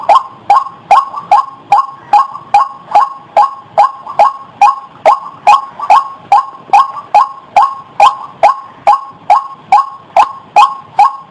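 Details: White-breasted waterhen heard as a trapping lure: a regular chain of brief, harsh notes, roughly 27 in eleven seconds, each with a sharp onset.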